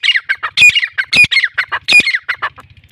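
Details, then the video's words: A loud, scratchy black francolin call, from a free-roaming Sindhi-type teetar: clustered harsh chattering notes repeated about three times in three seconds, fading into a soft low hum. "Azad ghoomne Wala teetar fricolian voice"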